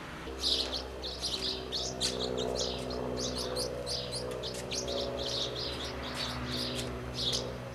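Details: House martins feeding their young at Přerov-Kozlovice, Czech Republic: a busy run of short, high chirps and twitters, several per second, over a steady low mechanical hum.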